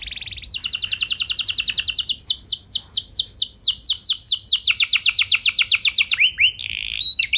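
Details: Canary lure song intended to set other canaries singing: a brief high buzzy phrase, then long rolling trills of rapid downward-sweeping notes, changing tempo and syllable shape several times before ending in a short burst.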